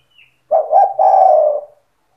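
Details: Spotted dove in energetic stuttering song intended to make other doves sing along: two rapid low coos leading into a long, hoarse, gently falling coo, a faint high chirp before it.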